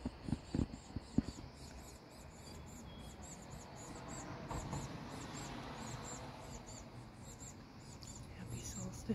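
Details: Black-capped chickadee nestlings in a nest box begging as parents bring food: a constant, very high, thin chorus of short squeaky notes pulsing several times a second, over low rumbling and a few knocks.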